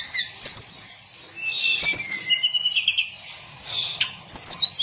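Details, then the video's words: Tledekan gunung, the hill blue flycatcher, gives its daily song: high, thin whistled notes falling in pitch, separated by quiet gaps, with a short warbled phrase in the middle. "Kicauan harian Tledekan gunung"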